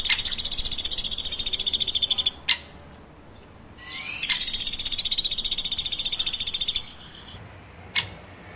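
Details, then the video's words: Loud woodpecker chirping: two extended trains of rapid, piercing, pulsed chirps, over two seconds each, separated by a quiet gap and a single sharp tick. "Woodpecker Chirping"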